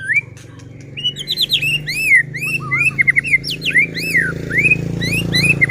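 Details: Gacor white-rumped shama song meant to provoke other shamas into singing; dense run of arching whistles, high sweeps and quick trills over a steady low hum.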